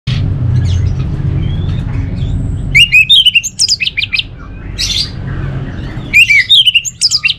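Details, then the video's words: Orange-headed thrush, a cage bird from North Bali, Singaraja, kept for song training: rich varied whistled phrases with rapid rising and falling notes in two bursts after a quiet start, with low room hum underneath. "Suara ANIS MERAH"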